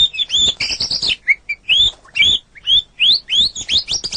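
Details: White-rumped shama song made as a long training recording for competition birds: rich, varied, high whistled phrases, rising slurs and rapid chattering trills, given in quick bursts with brief gaps.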